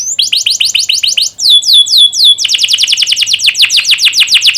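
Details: Young canary (kenari paud) song for training other canaries to sing: fast series of downward-sweeping whistled notes, a short slower phrase, then a dense rapid trill.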